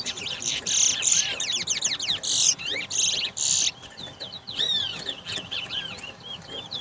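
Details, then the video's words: Towa towa (Large-billed Seed Finch) singing in a competition bird race at the National Stadium bird ground, Guyana, 2022: loud buzzy high bursts alternating with sweeping whistled notes, separated by short gaps, with faint music and voices behind. "TOWA TOWA BIRD RACE"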